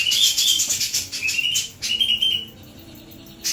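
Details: Sooty-capped babbler singing vigorously with a clear voice: a series of short, high, slurred whistles, some rising, amid rapid dry ticking pulses repeated about three times a second, ending in a quiet pause.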